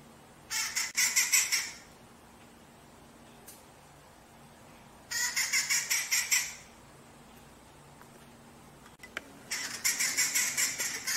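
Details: Rufous-naped Wrens in a duel, active around a house where they took coconut fibre from buckets; harsh, grating, rapidly pulsed chatter in three bursts of about one to one and a half seconds, separated by quiet gaps.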